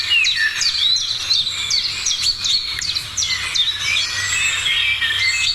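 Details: Lively morning bird chorus, many short, sharp chirps dropping in pitch, tumbling rapidly over continuous high twittering.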